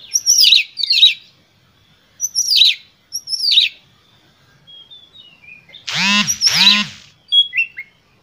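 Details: Oriental magpie-robin singing a vigorous, emotional lure song meant to provoke other magpie-robins into singing. High whistled, slurred phrases come in short bursts, then two loud, harsh, buzzy calls with a low undertone before a final chirp.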